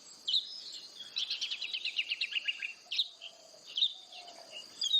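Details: Oriental magpie-robin giving a rapid string of short, buzzy repeated notes, then scattered sharp whistles. A steady high hiss and a faint lower tone run underneath.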